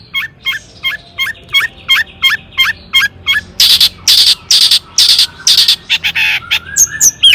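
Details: Long-tailed shrike song meant to rouse other shrikes into singing: a neat row of hooked, rising-falling whistles every third of a second, then broad harsh screeches and mixed chatter.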